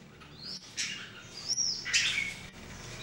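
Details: Red-whiskered Bulbuls (jambul), three birds at daily singing practice in 2018. Soft scattered notes: a few high rising whistles and a brief louder chirpy burst near the end over faint background hiss.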